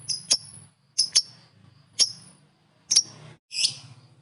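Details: Lovebird chirping to provoke other lovebirds: five short bursts of sharp, high double or single chirps spaced under a second apart, with a low hum in the background.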